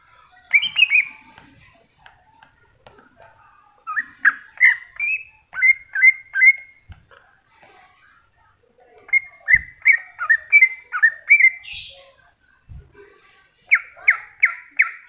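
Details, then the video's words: Greater green leafbird in a masteran recording, singing long sequences of varied whistled notes and rapid chirps, pausing once, ending with four quick identical downslurred whistles. "Cucak Hijau Masteran"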